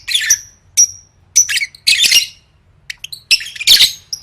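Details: Competition-training song of a lovebird in gacor gantang style: sharp, high, whistled chirps followed by rasping chatter bursts, spaced by brief silences.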